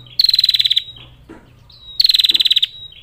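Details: Female bar-winged prinia calling males with two brief, bright, high trills of fast even pulses, each about half a second long, separated by a quiet pause holding a faint thin note.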